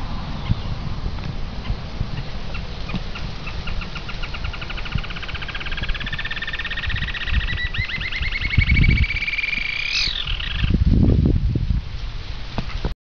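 A Green-tailed jacamar gives a long series of thin, high notes that climb in pitch and quicken into a squeaky trill, over low wind rumble.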